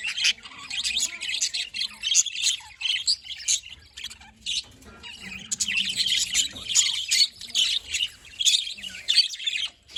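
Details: Happy pet budgerigars chattering in a dense stream of short, bright chirps and warbles, overlapping calls from several birds with brief louder squawky bursts and short pauses.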